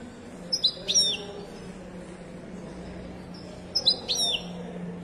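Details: European goldfinch, Moroccan Wedani style, at Casablanca's Souk Lgriaa bird market; two short bursts of tinkling, liquid twitters with quick downward slurs, separated by a three-second pause, faint market hum beneath.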